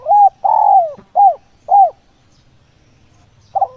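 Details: Cooing of a spotted dove as a trapping lure: a short coo, a long sliding descending note, then two clipped coos, followed by a pause and the start of the next phrase.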